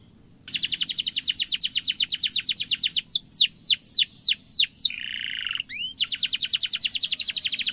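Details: Canary singing in a long rolled style meant to train young and adult birds: a fast even trill of sharp high notes, a series of separate descending slurs, a short harsh buzz, then the rapid trill again.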